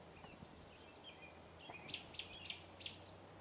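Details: Wild birds calling loudly beside a deck in Metchosin, British Columbia. Faint, thin high notes lead into a series of four sharp, bright chirps about a third of a second apart, over a steady low background hum.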